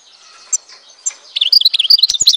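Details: Goldfinch of Algeria, recorded in Tizi Ouzou. Two soft chips lead into a quick, bright run of high liquid twitters and trills over about one second.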